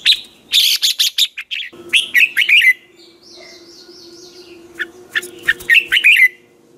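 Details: Red-whiskered bulbul in morning voice-training song, used as a lure to prompt other bulbuls to sing. Repeated loud bursts of short, sharp whistled notes, some buzzy, with faint warbling from another bird and a steady low hum in the pauses.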